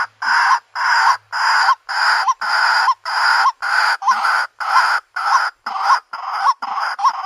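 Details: Harsh rasping calls from a female white-breasted waterhen seeking a mate, each loud phrase ending in a short upward hook, evenly repeated about every half second.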